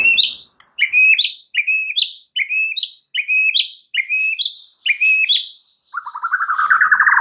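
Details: White-rumped shama song with full mimicry fill, used to prompt other birds to sing: a bright two-part phrase, a level note then a quick upward flick, repeated about nine times, ending in a lower buzzy rattling trill.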